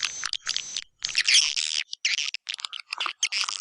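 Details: Choppy bursts of high twitters and buzzy trills from a white-nest swiftlet lure call used for swiftlet houses in East Kalimantan, separated by short silences.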